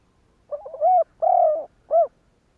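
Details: Spotted dove coo phrase meant to provoke other doves to call back. A stuttering low lead-in rises into a steady coo, followed by a drawn-out falling coo and a final short rounded coo; no other sounds.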